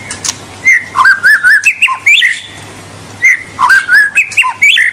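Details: White-rumped shama song for stimulating young birds to sing: two bursts of loud, clear whistled notes, each a rapid rising and falling sequence, separated by a short pause, with a faint low hum.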